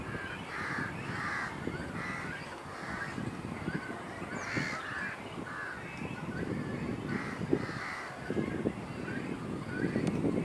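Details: Hungry great cormorant juveniles, fledged but refusing to fly, beg from parents at several nests on Kaikondrahalli lake in April 2021: rasping, grating calls in steady succession over low rumbling background noise and scattered clicks.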